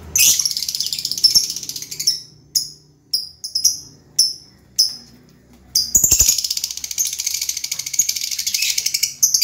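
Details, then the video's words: Lovebird chattering in shrill, dense bursts of high buzzy twittering, broken by several short sharp chirps in the middle, then a long continuous stretch of rasping chatter. "LOVE BIRD SI CANTIK YANG SELALU RIANG"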